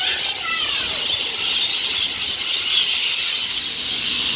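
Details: Many rainbow lorikeets in a street tree keep up a constant, very noisy wall of shrill, harsh screeches, many birds calling over one another with a few rising squeals; more lorikeets flying into the tree.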